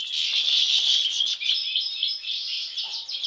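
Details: European goldfinch, one of several brothers, pouring out a loud, dense run of fast, bright twittering notes and fluttering trills with almost no pause.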